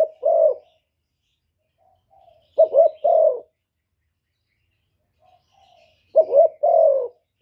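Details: Spotted dove in the 'thổ thúc' voice style, cooing and calling to provoke wild rivals: low hooting phrases, each a quick wavering double note followed by a longer drawn-out coo, given in three bursts separated by silent gaps.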